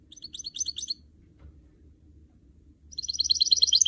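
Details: Goldfinch mule, the hybrid of canary and goldfinch, sings a brief high twittering phrase, pauses two seconds, then resumes with a louder, fast, jingling trill.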